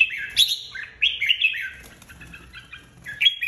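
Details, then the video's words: Red-whiskered bulbul, a flock leader newly taken out of an aviary, singing competitively: bright warbled phrases sliding between high and middle pitch, one short burst, a longer rolling phrase, then another burst near the end. "Chào mào đầu đàn mới tách avi ra ( chào mào hót đấu)"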